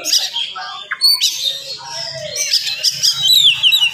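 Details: Oriental magpie-robin in full morning song, played to rouse other magpie-robins: dense, fast run of high whistles, sweeping slurs and chattering notes, with a faint low hum underneath.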